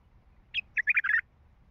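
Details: A wild Baghdadi bulbul with a heavy, deep voice gives a brief run of rich, bubbling notes, about five short phrases in under a second, mid-pitched and slightly rising, with faint low background rumble.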